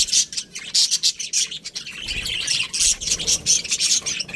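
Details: Colony of budgerigars chirping together: dense, high, scratchy chatter with bright whistled notes, bursts pulsing several times a second and barely pausing.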